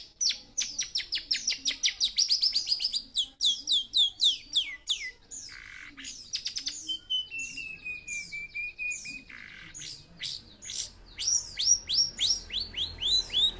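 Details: Young long-tailed shrike with fighting spirit and a varied song: rapid series of sharp high chirps and trills, a long slightly falling whistled note in the middle, then more fast repeated high notes.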